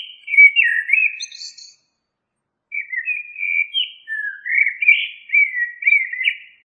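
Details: Common blackbird song: a short fluted phrase ending in a thin high twitter, a second-long silence, then a longer run of rich warbled whistles.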